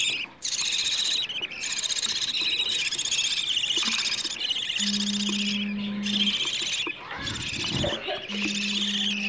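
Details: Begging of budgerigar chicks wanting food, played to adult budgies to encourage mating, egg laying and more chicks. A loud, rasping high chorus runs in long stretches with a few short pauses, over a low steady hum in places.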